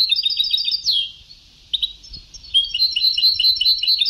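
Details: European goldfinch, very old Sebtaoui-style song tape: a fast, continuous, liquid twittering warble of rapidly repeated bright notes, briefly broken by a short pause, then resuming just as densely, over tape hiss.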